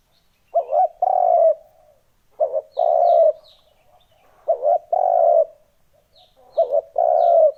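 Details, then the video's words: Spotted dove lure call meant to draw in wild doves: four repeated phrases of a quick double coo followed by a sustained hollow coo, with short gaps between them and faint high twitters in the background. "Âm thanh kích chim cu gáy mp3 mới nhất 2021! (Tiếng kích chim bổi)"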